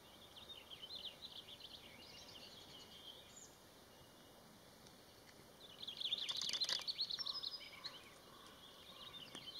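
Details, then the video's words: Black-backed woodpecker calling in Malheur National Forest, Harney County, Oregon, USA, recorded May 21, 2019: a sudden harsh, rattling burst of rapid clicky notes partway through, framed by faint high thin calls and a steady background hiss. "Black-backed Woodpecker"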